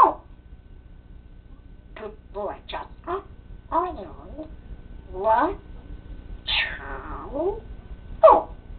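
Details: Pet parrot chattering indoors with clear speech-like babble: scattered short syllables, sweeping voiced sounds and a final loud sharp note over several seconds, in a quiet room.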